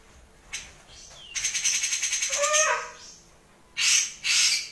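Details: Grey-cheeked bulbul in its dense, rough 'tembakan' style of song: a rapid rattling burst of harsh pulsed notes, followed by a lower falling note and two loud rasping bursts.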